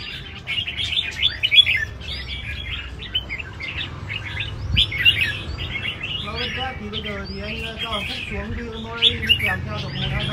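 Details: Red-whiskered bulbuls at a large competition arena give busy overlapping whistled warbles and rising slurs, with a man talking over the birds in the second half.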